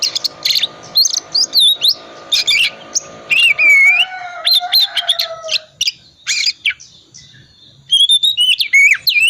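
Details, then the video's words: Ngriwik-style song of a calm 'dingin' type Oriental magpie-robin, played to get quiet birds singing: busy bursts of buzzy chirps and whistles, a long falling whistle, a brief lull, then fresh rising and falling whistled phrases. "pancingan kacer tipe dingin ngriwik wiksar"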